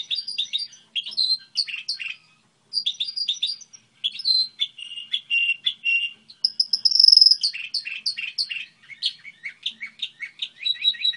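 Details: Long varied song of a Goldfinch hybrid model singer, mixing rapid twitters, buzzy trills and a sustained high whistled note, with short gaps between phrases.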